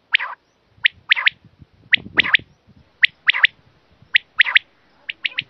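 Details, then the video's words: Quail sound for catching quail: crisp, high chirps in pairs and triplets repeated about every second, evenly spaced in a quiet setting, with faint low knocks between them. "The quail's voice to catch"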